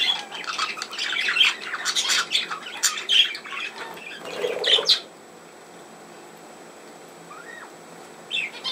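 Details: Budgerigars recorded 17 November 2024 chatter loudly with squawks and chirps for about five seconds, then fall almost silent apart from one soft rising-and-falling whistle and a final short chirp.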